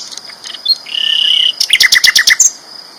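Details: Sikatan londo flycatcher singing loudly: a few high notes, a held flat whistle, then a rapid run of about eight sharp repeated notes, ending in a high upslurred note. A constant high whine sits behind.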